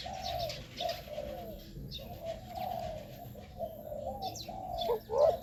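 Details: Spotted dove calls played to lure wild doves: low mellow coos run almost continuously in soft overlapping phrases, with faint higher chirps of other birds and a steady high hiss.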